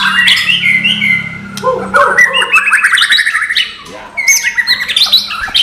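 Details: White-rumped shama (murai batu) singing in the non-gelembung style used as training material: rich, varied whistled phrases with fast rising and falling slurs and sharp chirps, delivered continuously.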